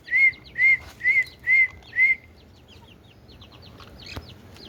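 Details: Indian ringneck talking parrot gives five loud, slurred, whistled notes, each rising then falling, at an even pace. Fainter chirps and a single knock follow in a quiet room.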